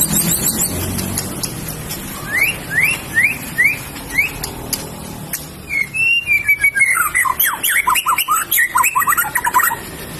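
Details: White-rumped shama goaded by a rival, a rapid shooting style: a run of five quick upslurred whistles at steady intervals, then a fast volley of sharp rising and falling notes over a loud noisy background.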